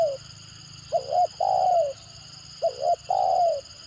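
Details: Stuttering 'tekukur gagap' calling of a spotted dove kept as a lure bird: a quick double coo followed by one drawn-out descending coo, heard twice, with a low steady background hum.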